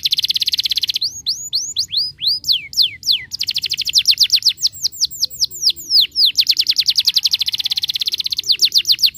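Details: Song of a canary intended to make other canaries sing and roll: an opening buzzy trill, then spaced falling whistles, then long rapid rolling series of notes.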